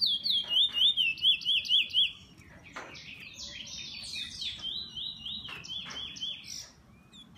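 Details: Bullfinch with an owner sings a steady series of about eight high, looping whistled notes roughly every quarter second, followed by softer scratchy, chattering warbles.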